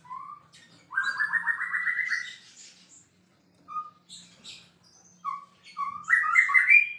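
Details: Actively singing champion white-rumped shama: a rising trilled whistle of quick repeated notes, scattered short high chips and whistles, then a loud rising warbled phrase, with a steady faint low hum.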